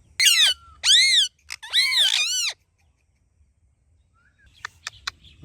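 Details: A talking ringneck parrot uttering loud harsh, rasping phrases in three bursts, then a pause, a soft short note and a few faint clicks.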